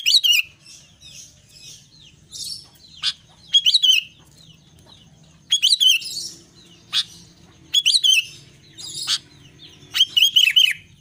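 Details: Albino sooty-headed bulbul singing vigorously: five short bubbly phrases of three or four quick rising-and-falling whistled notes, spaced a second or two apart, with sharp dry clicks and taps between phrases and a faint low hum throughout.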